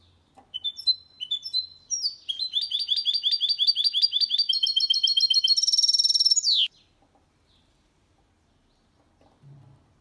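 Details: Goldfinch × canary hybrid singing cleanly without errors, a recording meant to stimulate males to sing and teach young birds: short rising whistled notes, then a long fast run of buzzy repeated notes ending in a harsh dense trill, then silence.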